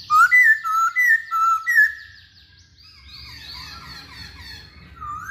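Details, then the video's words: Masked laughingthrush in lively song, kept to prompt other birds to sing: four loud, clear wavering whistles in quick succession, then quieter, more distant high twittering. "Burung Poksay Hongkong Gacor"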